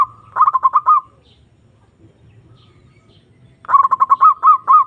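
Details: Zebra dove (perkutut) lure call aimed at a rival: a burst of quick coos, a silent gap of over two seconds, then a longer run of staccato notes slowing into rising, hooked coos.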